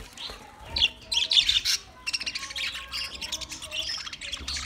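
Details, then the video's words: Several budgerigars among twenty pairs give short clear whistled chirps and scratchy squawks, a quieter moment before the flock chatter swells again. "20 Budgie pairs chirping sounds"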